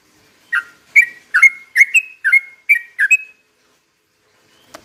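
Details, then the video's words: Lure song of a sooty-headed bulbul in slow rapid 'ropel pelan' style: eight quick bubbly whistled phrases in under three seconds, then silence ending with a faint click. "trucukan gacor ROPEL PELAN BUAT pancingan trucukan agar bunyi"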